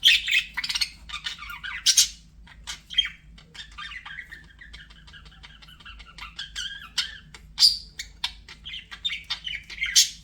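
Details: Pet budgerigar warbling in a long, busy stream of chirps, squeaks and scratchy rasping notes, with brief sharp clicks and a steady low hum underneath.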